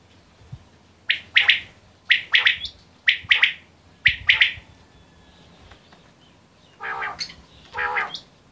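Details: Quail repeating a crisp double or triple note about once per second, four times, followed by two softer, rougher, lower calls.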